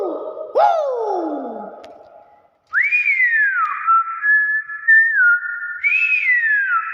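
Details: Nias hill myna: brief lower descending voiced sounds at the start, then clear whistled phrases that rise, fall, hold level tones and end with another upward sweep.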